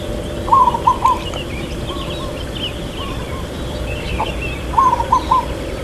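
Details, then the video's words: Zebra dove, local type, singing a long "kuk" in irama lelah rhythm: a loud cooing phrase opening and closing the passage, softer echoing coos between, plus a low steady hum and distant twittering birds. "Perkutut Lokal Suara KUK Panjang IRAMA LELAH"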